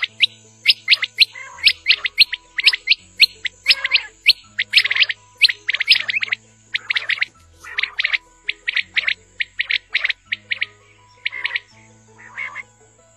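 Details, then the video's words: A quail, in a call used for village quail hunting, gives quick bursts of sharp, high chirps, about one burst a second, over a low steady hum. "BATAIR KI AWAZ"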